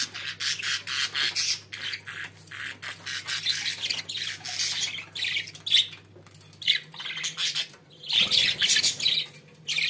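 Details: Pet budgerigars keep up a busy, rasping warble of quick chattering bursts with many small clicks, nearly unbroken for ten seconds, while a low background hum drops out partway through.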